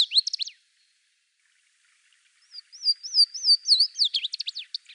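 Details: Louisiana Waterthrush singing in the eastern United States: a song tail of falling notes, a pause, then a new song of clear wavering slurred whistles breaking into a rapid twittering jumble.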